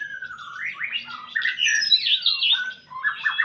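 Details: White-rumped shama in a singing match with another songbird: varied clear whistled phrases, some sliding down and others rising, with quick rapid notes, tumbling in a steady run; a faint low murmur underneath.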